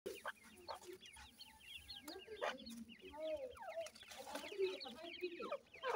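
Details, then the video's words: White chicks of the francolin known as Irani teetar, kept in captive breeding: many rapid, high, rising peeps overlapping in a busy chorus, mixed with a few lower soft clucking notes. "irani teetar white chicks"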